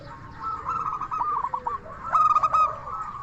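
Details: Local zebra dove song meant to draw replies from other doves: stuttering trilled cooing phrases, one fainter run then a louder clear burst near the end, against a steady low background rumble.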